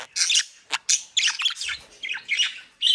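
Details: Budgerigars from a private breeding in South Holland, Netherlands, kept captive: rapid bursts of harsh, squeaky chattering notes in quick succession, loud and close, with brief pauses between phrases.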